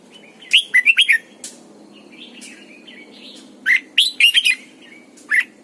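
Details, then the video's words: Red-whiskered bulbul, a lure bird trained to sing, in morning song: two bursts of four to five loud looping whistles about three seconds apart, quieter warbles between, and a final single note. "luyện chào mào mồi hót sáng cực hay, ép chào mào hót âm kép già rừng hay tuyệt!"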